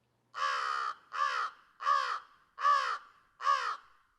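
American Crow giving five harsh, hoarse caws, each about half a second long, spaced under a second apart with a slight downward slur; nothing else heard.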